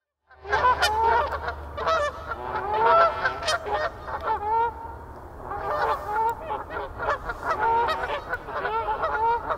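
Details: Canada geese in a noisy, chaotic flock at Canoe Meadows, recorded on 1 March 2024: many loud nasal honks overlapping continuously, with no pauses, over a low steady rumble.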